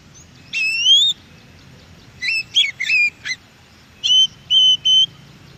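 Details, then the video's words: Wild Oriental magpie-robin song, meant to prompt caged birds to respond; a long slurred whistle, a cluster of quick up-and-down notes, then three evenly spaced clear flat whistles over a quiet background. "NYAUT Dengan di MASTERI suara KACER di ALAM"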